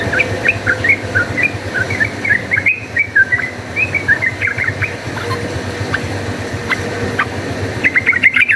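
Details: Rapid, chatty fighting song of a yellow-vented bulbul, used as a lure: bubbly, slurred mid-pitched notes in short bursts through the whole stretch, with brief pauses and a constant low background hum.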